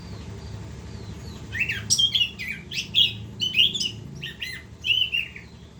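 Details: Anis kembang, the orange-headed thrush, in continuous gacor ngerol song: loud, rapid sequences of sharp whistled and buzzy high notes, some sliding downward, delivered in quick bursts after a quiet start, with low steady hum beneath.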